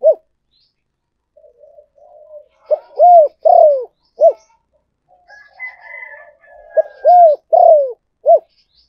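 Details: Spotted dove decoy calling: repeated loud phrases of short arched hoots and falling coos, with soft murmuring between and a faint higher drawn tone in the middle.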